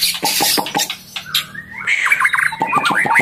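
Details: Female white-rumped shama in breeding condition, calling to stimulate males while feeding its chick: rough scratchy bursts first, then a run of bright slurred whistles and quick squeaky notes.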